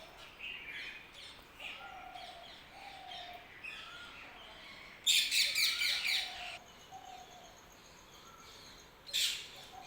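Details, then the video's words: Birds chirping in the early morning: soft low whistles drifting among faint high chirps, with a loud burst of rapid high twittering midway and another sharp chirp near the end over steady background hiss. "Early morning # Birds # chirping"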